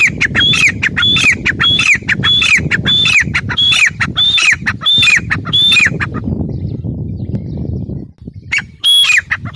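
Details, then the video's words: Grey francolin giving a fast series of loud harsh calls, each with a short whistled note that falls away, about two per second for six seconds, then pausing before one more call over steady low rumble. "Teetar awaz | teetar sound | gray francolin teetar sound"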